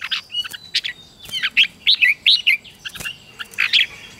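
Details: Red-whiskered bulbul in a morning singing-practice recording for wild-caught young birds, meant to stir fiery contest song; a chain of loud, slurred whistles and chirps repeats at roughly half-second intervals, with occasional sharp clicks.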